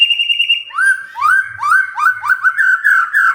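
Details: White-rumped shama singing after being provoked, answering within three minutes: a long steady high whistle, then a run of quick repeated swooping phrases, each rising then falling, about two per second.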